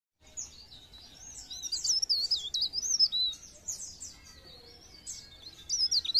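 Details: Pare pare bird song used as a lure recording to stimulate other birds to sing: high, thin, twisting whistled phrases with rapid warbling runs, pausing around four seconds before resuming, over faint low background noise.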